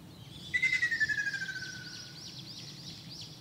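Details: Ruddy kingfisher singing in Shizuoka Prefecture, Japan, on 2 June 2024, with several birds spread over a wide area. A single rolling, pulsed trill slides gently downward in pitch and fades over about one and a half seconds, above a thin haze of high chirping.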